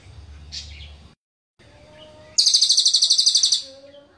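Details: Cililin singing in a sharp, very tight burst: after faint rustling and a brief gap, a rapid high, dense trill of about a dozen repeated notes lasts just over a second, then fades to a soft whistle.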